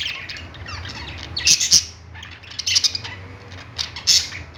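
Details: Budgerigars singing on a perch in a pet store: busy high chattering chirps and warbles, with louder squawky bursts every second or so over a low background hum.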